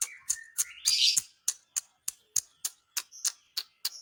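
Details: Lovebird song meant to provoke other lovebirds into agitation: rapid clicking ticks repeated about every third of a second, with a burst of shrill squeaky chirps early on and a steady faint tone running beneath.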